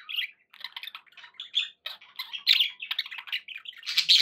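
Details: Budgerigars kept as pets chattering steadily, with varied squeaks, buzzy warbles and quick chirps, getting louder near the end.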